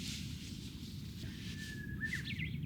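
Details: Japanese bush warbler singing in the evening near a campsite on Izu Oshima, a Tokyo island, at about 12 degrees. Faint song: one drawn-out steady whistle, then a quick rising and falling flourish, over constant background hiss.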